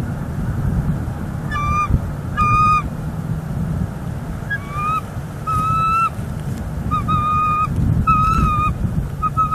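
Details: Nesting bald eagles in Northeast Florida, December 18, 2021, while nest material is delivered; about eight bursts of high, squeaky, whistled chatter spread irregularly, over steady low rumble like wind.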